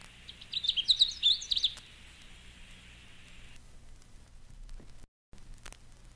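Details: Canada Warbler song: a quick, jumbled burst of sharp chips and high warbled notes lasting about a second and a half, followed by a quiet stretch with faint hiss and a brief gap.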